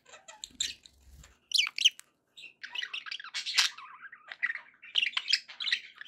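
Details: Pet budgies sounding happy: quiet scattered chirps open into a longer, continuous scratchy warble of mixed squeaks and twittering notes, with a faint low thump at the start.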